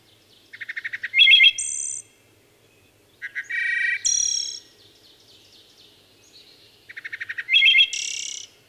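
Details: Solo wood thrush singing. Three phrases each start with a rapid series of short stuttered notes, climb to a loud fluted whistle and finish with a high, silvery buzzing trill. Faint soft notes fill the gaps.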